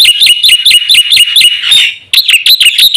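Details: Black-winged myna in full, energetic song, used as a lure and training recording for caged birds: a fast series of sharp, high whistled notes with upward flicks, briefly broken by a harsh rasp before the repeated notes resume.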